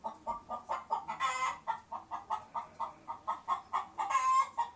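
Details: Chicken clucking, played in a children's quiz on farm animal sounds: short, even clucks repeated about three times per second, with two louder, harsher bursts near the middle and the end.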